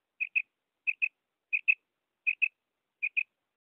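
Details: Common quail (Coturnix coturnix), female call.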